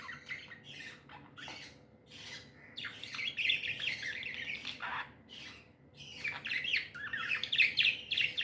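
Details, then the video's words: Tamed budgerigars chirping happily: rapid scratchy squawks and warbled phrases come in clusters, pausing briefly before another burst of excited chatter. "Happy budgies chirping sounds"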